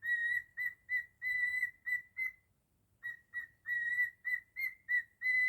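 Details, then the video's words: Jingle Bells whistled by a pet cockatiel: a run of short, bright, flute-like notes, then a brief silence, then more quick notes mixed with held ones, all at nearly the same pitch. The background is quiet. "Naughty Cockatiel singing beautifully 😍 jingle bells"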